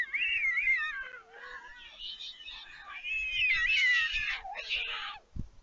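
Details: Young white storks at a nest at Leemansmolen, Vriezenveen, Netherlands, July 2022, begging as the parent feeds them after their flights: cat-like mewing cries that waver and drop, several voices overlapping, ending with a soft thud.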